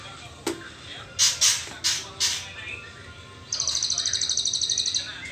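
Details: A young white-rumped shama in its trotol phase, before entering the pastol moult, gives a series of harsh, rasping hisses. These are followed by a rapid buzzing rattle of high clicks that runs to the end.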